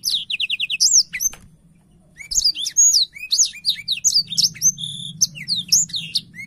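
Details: Black-throated canary singing vigorously while spreading its wings: rapid high, thin whistled phrases, first a quick run of five descending notes, then a pause and a long burst of sharp, varied upslurred and downslurred chirps and trills, with a faint low hum beneath.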